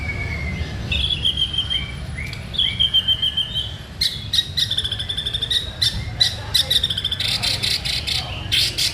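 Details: White-rumped shama singing vigorously: long, clear whistled notes held at a steady high pitch with short slurred phrases, then a fast burst of sharp, rapidly repeated chipping notes over a steady low background hum.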